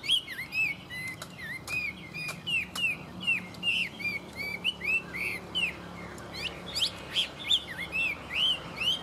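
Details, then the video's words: Chinese hwamei, a tame songbird singing well, pouring out a long run of looping whistled notes, each dipping then rising, steady and rapid, with a few sharp clicks and faint hum behind. "Họa mi thuần hót tốt"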